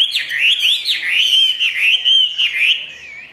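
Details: Chinese hwamei kept in a cage, singing ngũ trường style: a continuous stream of loud, looping whistles that swoop up and down, fading slightly at the end.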